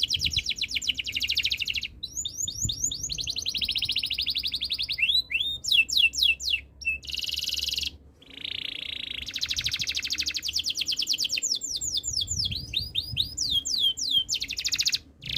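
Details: Long canary song passage alternating dense buzzy rolls and trills with bursts of quick descending whistled slurs, phrases changing every few seconds, high and continuous with brief pauses.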